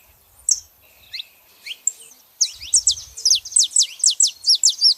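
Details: Female and male saffron finches: a few scattered high chirps, then a sustained burst of rapid, sharply falling notes over the last half.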